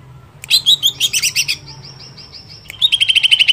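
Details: Greater green leafbird song used to stir up other leafbirds: a rapid series of bright chirped notes fading into a thin whistle, then a fast, even trill.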